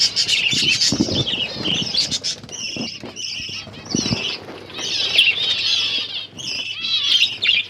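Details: Pet finches enjoying egg food, recorded October 21, 2023: a steady flow of high twittering chirps from several birds, mixed with low thumps and rustles of movement.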